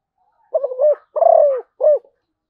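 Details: Zebra dove song phrase: a rapid stuttering trill leads into a long, rolling, descending coo, ending with one short upturned note.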